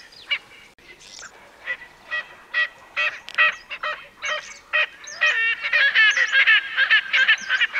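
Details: Erckel's francolin calling with spaced harsh, grating notes that build in the final seconds into a fast, loud rattling cackle.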